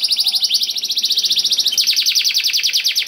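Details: Canary used as a lure to prompt other canaries to sing, delivering a continuous rapid high trill of evenly repeated notes, about ten per second, with a slight shift in tone midway.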